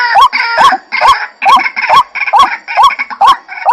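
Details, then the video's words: Rhythmic, repeated rising notes from a White-breasted waterhen, evenly spaced roughly every half second, each with a sharp click-like onset. "suara burung ruak"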